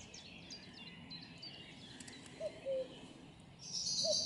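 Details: Common cuckoo recorded close up: a single falling two-note cu-coo, then the first note of another, beneath high thin chirps and twitters from other small birds.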